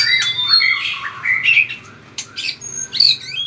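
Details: Caged white-rumped shama in a fierce singing bout with strong tail-flicking, giving loud swooping whistles and harsh buzzy notes, then a few thinner high phrases after a short lull.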